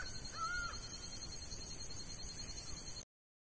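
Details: A single doubled nasal call from a laughing falcon in the sertão of Bahia, followed by a faint distant note before the recording cuts off; steady hiss behind.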